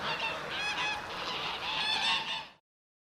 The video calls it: Geese Cackle